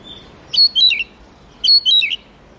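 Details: Two short matching phrases from an Oriental magpie-robin, called murai kampung or kacer: each a cluster of sharp, downward-slurring whistled notes lasting about half a second, separated by a second of quiet.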